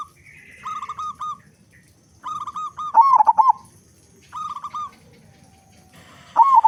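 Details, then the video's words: Zebra dove of a local strain, loud-voiced and singing readily, a lure for other doves: short sets of level coos recur, with one rapid rolling trill of hooked notes near the middle and another at the end. "Perkutut Lokal Gacor Suara Besar Pancingan Burung Perkutut Agar Cepat Bunyi"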